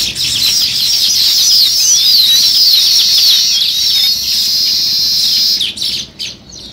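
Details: Sparrows chirping where weaver birds are building nests: a steady, loud, shrill twittering chorus of many birds, with quick rising and falling notes, lasting nearly six seconds before stopping abruptly.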